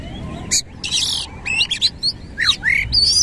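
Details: Oriental magpie-robin in full 'gacor' song, tail fanned: harsh raspy bursts mixed with downward-sweeping and rising whistles, delivered in quick clusters over a low background hum.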